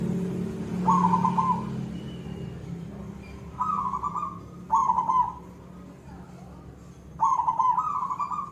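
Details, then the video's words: Energetic perkutut (zebra dove) koong song: separate rolling, slightly trilled coo phrases about one to two seconds apart, the last doubled, over a low background drone. "perkutut silver gacor suara koong"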